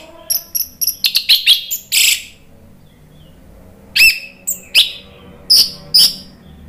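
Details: Orange-headed thrush singing as a lure to draw other birds into answering, in the open ngeplong style. Clusters of sharp high whistled notes and chirps, then a pause, then a few more spaced whistled phrases.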